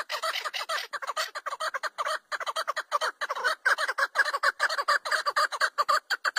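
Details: Chukar partridge, named as the national bird of Pakistan, giving a loud, continuous run of harsh, clucking chuck notes, about two per second, overlapping and rhythmic for over six seconds.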